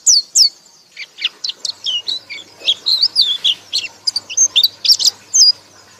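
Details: High-pitched white-eye song in the ngekek style, with varied short whistles and chirps, some rising and some falling, strung together in an uneven, chattering series over a soft background hiss.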